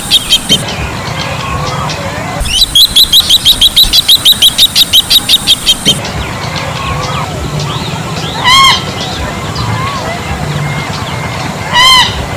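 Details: Bronze-winged jacana calling: a rapid, evenly spaced series of high, sharp piping notes repeated about three times a second, then two separate loud, nasal, harmonic calls. Abrupt breaks between the sections and a low background rumble.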